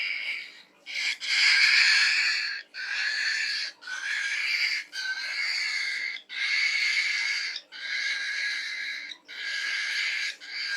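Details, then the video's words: Falk bird producing its unusual pig-like song, a run of coarse, noisy, snorting phrases each lasting one to one and a half seconds, separated by brief pauses. Nothing else is audible. "SUARA ANEH BURUNG FALK, COBA TEBAK MIRIP SUARA APA"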